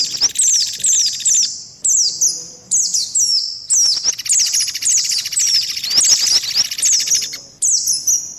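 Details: Indian white-eye lure call, part of a mix with mantenan and pelatuk beras, meant to draw birds quickly: rapid series of shrill, downward-sweeping chirps in bursts, layered over a continuous buzzy rattle in the middle.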